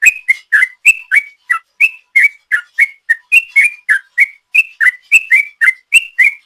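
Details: Lure recording of an actively singing sooty-headed bulbul in long 'ropel' style: a steady stream of bright, liquid whistled notes, some upslurred, some dropping, roughly three to four each second, with no background noise.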